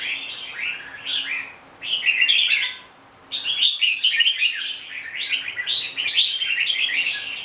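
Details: Red-whiskered bulbul, known as chào mào bông, gives two short warbled bursts and falls silent for a moment. It then launches into a longer, busy chain of bright chirping phrases.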